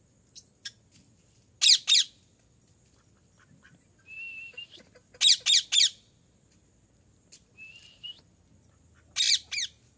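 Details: Parrot calling: loud, harsh, raspy squawks in bursts of two or three every few seconds, with short steady whistled notes between bursts and a quiet background.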